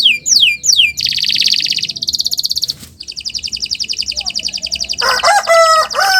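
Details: Canary song for use as a training model for other birds: falling whistles, then buzzy high trills, a pause, a rapid rattle and a closing mix of whistled and warbled notes.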